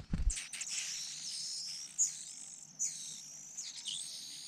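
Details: Rufous-bellied niltava at a nest in Yunnan, China: long, high, thin drawn-out notes with slight pitch wavers, after a brief low thump at the start.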